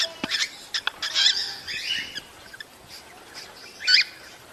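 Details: Cockatiels giving mating calls to encourage breeding: early clicks and chirps, then a drawn-out wavering whistled call, a quieter stretch, and a final sharp harmonic chirp.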